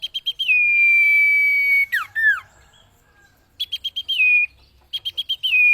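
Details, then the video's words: Common iora song used for training cage birds: rapid runs of short buzzy notes flowing into a long, steady, level whistle, then sharp downslurred notes, the phrase repeating twice. "MASTERAN - Burung Cipeuw/Cipo Terbaik"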